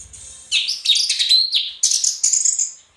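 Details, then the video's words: Orange-headed thrush, gacor teler song for training cage birds, opening with a thin high whistle, then bursts of bright, scratchy warbling phrases separated by short breaks. "BURUNG ANIS MERAH GACOR TELER"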